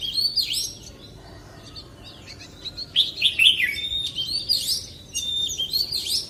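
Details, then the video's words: Wild forest-voice song of an Oriental magpie-robin, heard softer and more distant: intermittent whistled and chattering phrases rise and fall over a steady low background hiss. "CHÒE THAN HÓT GIỌNG RỪNG SIÊU HAY - Suara Burung Kacer Gacor"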